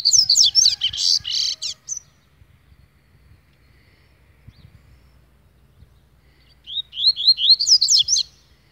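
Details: An agitated double-collared seedeater opens with a loud, dense tumble of high buzzy and whistled notes. A long silence follows, then a fresh run of short rising whistles.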